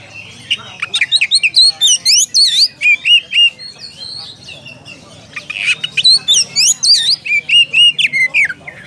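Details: Oriental magpie-robin challenging a rival with two dense bursts of chattering, whistled and squeaky notes roughly four per second, separated by a quieter gap midway.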